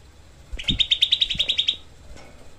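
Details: One harsh, fast 'tembakan' volley from a Grey-cheeked bulbul, played as tutor material for songbirds: about twelve rasping notes in quick succession, with faint low knocks underneath.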